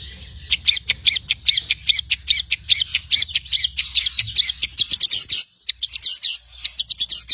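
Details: Long-tailed shrike singing a master song for training songbirds: a fast run of sharp, high chirps repeated about twice a second, a brief pause, then further clipped notes.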